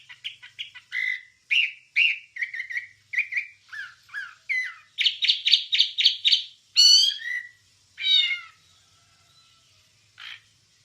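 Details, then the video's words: Wambie master song for training captive songbirds: a varied series of separate short notes, slurred whistles, sharp chips and a fast repeated buzzy burst, then two harsh descending rasps before fading into quiet. "Ocehan Suara Burung Wambie"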